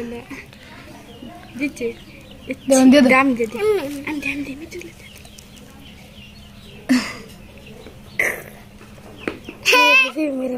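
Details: A talking parrot, said to speak like a human, gives loud warbling bursts with wavering, harmonic pitch around the third second and again at the end. Shorter sounds and quiet stretches fall between them, over a faint steady hum.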